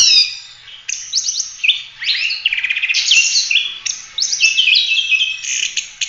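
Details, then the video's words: Oriental magpie-robin singing continuously as a training model for other birds: dense, loud phrases mixing fast stuttering trills, buzzy notes and clear whistles, barely pausing between bursts. "Kacer gacor ful roll tembak cocok buat masteran"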